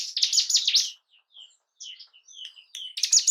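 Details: Song of the bar-winged prinia, locally ciblek gunung, for arousing breeding and aggression in caged birds: a rapid high rattling burst, quiet thin whistled notes, then another loud burst.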